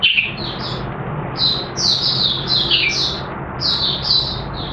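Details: Oriental white-eye, a caged bird starting to sing on 30 August 2022 while its new white feathers finish colouring: sharp high chirps and twittered phrases in irregular bursts over a noisy, humming indoor background.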